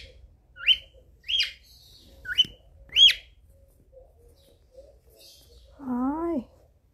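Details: A male cockatiel sings to a female in courtship to win her attention: four quick, bright, upward-sweeping whistles, about one every 0.7 seconds, then a brief, low, wavering voice-like sound near the end.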